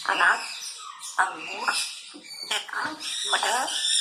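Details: A grey parrot named Cherry, a talking pet, mimics human speech in short, word-like bursts with shifting pitch, over soft background music; its repertoire includes fruit names and Urdu phrases.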